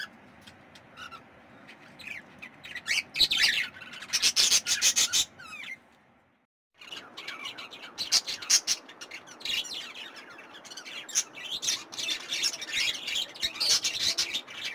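Budgerigars chatter in a fast, scratchy warble of high chirps and squawks, broken by a brief pause.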